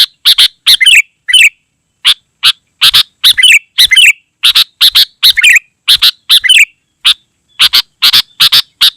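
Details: Sooty-headed bulbul pouring out a steady stream of harsh clipped notes and short, rolling warbled phrases, densely spaced throughout.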